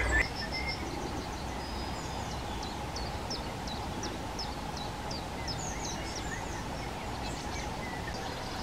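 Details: Hawfinch in a garden: short, sharp, high ticks repeat roughly three times a second, faint over a steady low hum and background noise.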